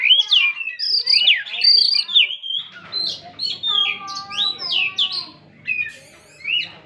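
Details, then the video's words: Oriental magpie-robin giving gacor song, a dense medley of bright whistled phrases, rising and falling slurs and harsher buzzy notes, almost continuous throughout. "Kacer Gacorrr || Menaikkan emosi dan birahi burung Kacer yang macet"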